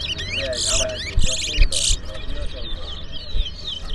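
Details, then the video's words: Twa-twa finches singing during a song race in Berbice: quick, high chirping phrases with bright, buzzy bursts, while a man talks nearby and background noise thumps. "TOWA TOWA BIRD RACE IN BERBICE"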